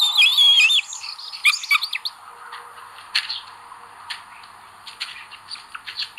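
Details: Common buzzard nest, 25 May 2022, where the eldest chick behaves aggressively. Twisting, quavering high squeals come first, then a scatter of sharp clicks and taps with short pauses between them.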